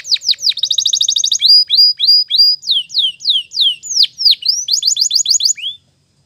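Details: Spanish Timbrado canary training song recorded in the morning: down-slurred chirps, a quick rolling trill, a string of flat whistled notes, sweeping slurs, and a final bubbling trill before the song stops.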